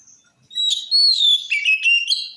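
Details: Oriental magpie-robin (kacer) singing to prompt other magpie-robins to reply: a clear, high whistle that slides downward, followed by twittering and warbled notes for about two seconds.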